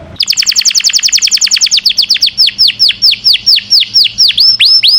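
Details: ['Canary giving a long song suited to tutoring caged birds: a rapid, regular trill of falling notes that gradually slows into wider, looping whistled slurs.']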